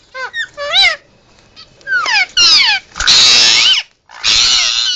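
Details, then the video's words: Pet Indian ringneck parakeet, hand-raised from weaning, giving loud emergency calls: harsh harmonic squawks with rising and falling arcs, then broad raspy screeches in bursts, with short gaps between outbursts. "Indian Ringneck making Emergency Sounds"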